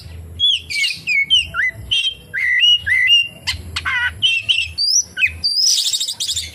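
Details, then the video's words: Oriental magpie-robin song packed with kapas tembak mimicry: a quick run of clear whistled notes, some sliding down, others rising, alternating with short sharp chips and a dense trilled burst near the end. "SUARA BURUNG KACER, FULL ISIAN KAPASTEMBAK"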